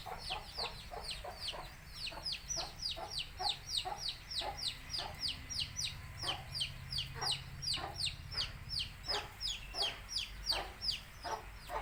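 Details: Many baby chicks of a Tamil country chicken flock chirp in quick succession, sharp high peeps falling in pitch, several per second, over a low background hum with soft lower clucking mixed in.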